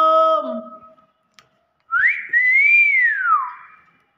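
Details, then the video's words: Talking common hill myna answers after a man speaks. Its smooth whistled slur climbs quickly, arches, then glides downward for about a second and a half in a quiet room. "Beo 1 M pintar ngomong"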